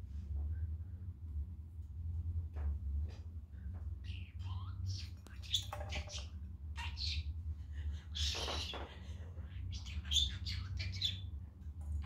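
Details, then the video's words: Pet male budgerigar at home on a sunny day, playing with his family and talking in a good mood; rapid bursts of scratchy, speech-like chatter and chirps over a steady low hum. "Talking Budgie"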